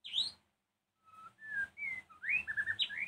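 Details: White-rumped shama singing in the evening, a song used to provoke other shamas into answering agitatedly. A sharp, high, falling note opens, then after a pause a run of clear whistled notes, several rising, ends in quick varied phrases over a faint low hum.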